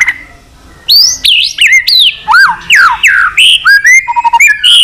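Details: A white-rumped shama pours out an extended song used to incite fighting: a pause, then loud varied whistles, swoops and rising slurs, tumbling one after another at a brisk, irregular pace.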